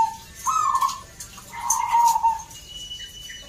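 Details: Zebra dove at a local song contest in Salatiga, Central Java, Indonesia: two mellow coo phrases, the second longer with a slight wavering, over loud crowd noise and bursts of high chirps.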